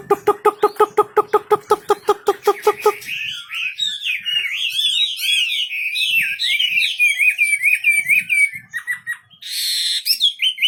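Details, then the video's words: A fast, evenly pulsed buzzing rattle opens, then a wambi bird sings vigorously: a long, jumbled run of warbling whistled notes and trills, closing with a harsh burst and a rising whistle. "Burung wambi istimewa gacor full"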